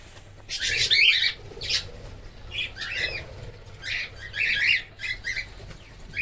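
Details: Cockatiels kept in a breeding colony, 2026: harsh chirps and squawks in irregular bursts over six seconds, mixed with wing flapping and a faint low hum.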